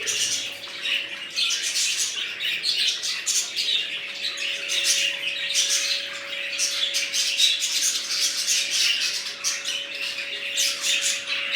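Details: Lively chatter from a new budgerigar colony: many fast, overlapping high chirps, squeaks and buzzy warbles pouring out without pause, above a steady low electrical hum.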